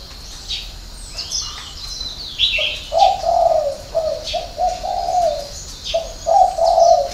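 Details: Spotted dove giving a six-note cooing call of the 'hậu 3' style: low, hollow coos in a quick broken run from about two and a half seconds on, over thin high chirps of other small birds.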